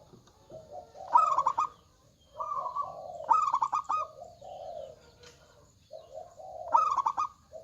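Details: Zebra dove, local type with a big voice, singing: four loud phrases of rapid stuttering coos about every two seconds, overlapped by lower, softer cooing notes that may come from another bird.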